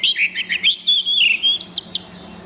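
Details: Orange-headed thrush in gacor style, recorded as tutor material for caged birds: a quick run of loud wavering whistled notes merging into a longer warbled phrase, then two sharp chips over a low hum.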